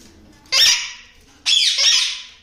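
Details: Yellow ringneck parakeet from a breeding pair of pet parrots, indoors: two harsh, loud, broadband squawks about a second apart, each roughly half a second to a second long, over quiet room background.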